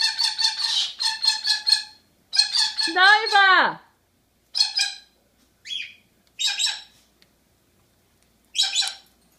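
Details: Pet monk parakeet (Quaker parrot) talking: bursts of rapid, grating squawks, then a loud drawn-out call that rises and then drops sharply, followed by scattered short harsh notes with silent gaps.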